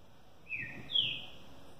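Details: A captive competition green-winged saltator, finishing its post-moult period, gives two clear whistled notes, the second higher, longer and louder, over faint hiss; it sings 8 songs in 30 seconds.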